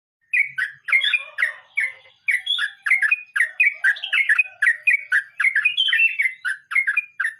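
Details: Sooty-headed bulbul singing in the rolling 'ngeroll mbonang' style: bubbly, fluty two-part notes dropping and rising, delivered in a fast, uneven stream for about seven seconds, with faint lower warbles early on.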